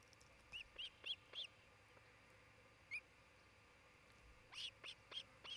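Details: Osprey calling at a nest in Charlo, Montana, captured by nest camera on 27 June 2018; four evenly spaced shrill upslurred whistles, one lone call, then another group of five after a pause.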